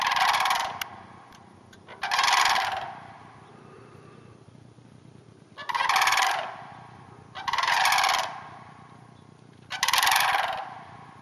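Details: In a hayfield roughly half an hour north of the Twin Cities, wild sandhill cranes give five loud, rolling, rattling bursts, with a longer quiet gap midway and steady low rumble behind.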